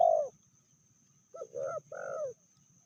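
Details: Spotted dove female, called fiercer than the male, medium voice: the loud tail of a long coo, a pause, then two softer drawn-out coos. A thin steady high tone sits in the background.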